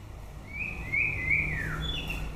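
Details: White-rumped shama singing at the end of the breeding season: a single long, clear whistled phrase that rises, holds steady, then slides down, with a short higher note after it over faint low background hum.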